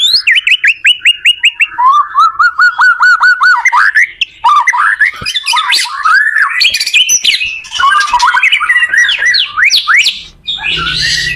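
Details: White-rumped shama song used to help teach other shamas to sing: fast runs of repeated rising notes, then a varied burst of whistles, sweeps and chattering phrases.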